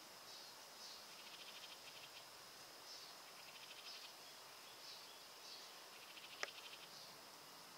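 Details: House wren calling at Roxbury Park, Meggett, South Carolina: faint, rapid rattling chatter bursts, each under a second, repeated several times over a steady high insect drone, with one sharp click.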